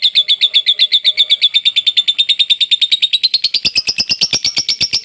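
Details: Long lovebird ngekek used as masteran: a quick, steady series of shrill clipped notes, about seven a second, that climb gradually higher in pitch and grow brighter toward the end of five seconds.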